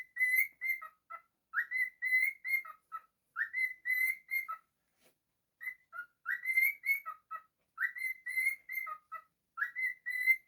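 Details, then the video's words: Singing cockatiel kept as a pet, giving clear whistled phrases, each a run of level high notes with a dip at the end, repeated in regular bursts with one longer silence midway. "Cockatiel singing. bird singing. happy bird."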